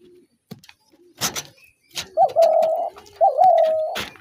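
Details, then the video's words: Spotted dove calling: two drawn-out, even coos with a short rising start, each lasting about half a second, after scattered clicks and knocks. "তিলা ঘুঘুর আরজিনাল ডাক"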